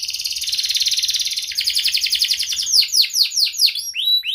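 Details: Canary singing to stimulate silent birds: a quick pulsing trill rolling at high pitch, shifting into sharp descending whistles repeated a few times, then clear high chirps.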